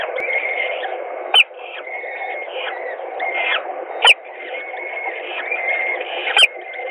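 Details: Peregrine falcons at a nest in Gdynia, Poland, during feeding on 17 April 2021 at 12:45; sharp high squealing calls with drawn-out whining notes, three loud bursts standing out over a constant hum.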